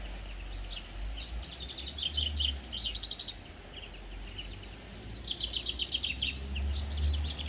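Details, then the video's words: Bird calling outdoors: bursts of quick, high twittering chirps in two main runs, separated by a quieter gap, with persistent low rumble and environmental noise underneath. "sound of bird"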